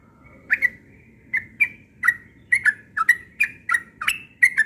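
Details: Yellow-vented bulbul morning song: after a quiet start, a series of rich whistled notes roughly every third of a second, bubbly and slightly varied in pitch.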